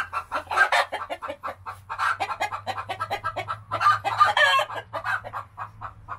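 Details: Chicken; egg song; announcing she has just laid an egg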